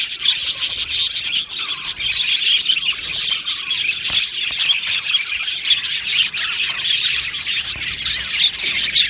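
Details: Australian budgie colony in an aviary, chirping and singing together: thick, unbroken high-pitched chatter of rapid tweets and scratchy warbles, with a few sharper squawks standing out.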